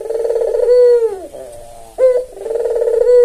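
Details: Red-eyed albino white Barbary dove, tame and vocal, used to coax quiet doves into calling. A drawn-out throaty coo fades downward, a pause follows, then a quick upslurred note starts another rolling coo.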